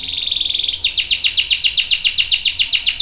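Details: Canary in strong song, a long roll meant to prompt and tutor other canaries. A rapid buzzy trill switches to an even, regular series of ringing downslurred notes, about four per second.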